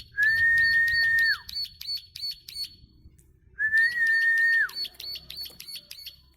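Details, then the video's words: Plain prinia in full voice, giving its long clicking song: a steady whistled tone held just over a second, then dropping sharply, with fast rhythmic clicks running beneath at about ten per second. The phrase is heard twice, with a soft low rumble in the background. "Ciblek sawah gacor ngeklik panjang"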